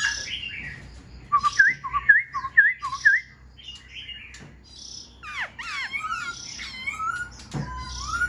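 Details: Indoor cage song of a Black-throated laughingthrush fanning its tail and working its wings: short rising whistles repeated rapidly, a pause, then sweeping slurred notes and a lower drawn-out whistle.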